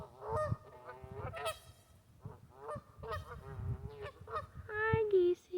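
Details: Lively geese in a local park in West Virginia giving irregular nasal honks, some short and clipped, some longer and falling, with low rumbling background noise between calls.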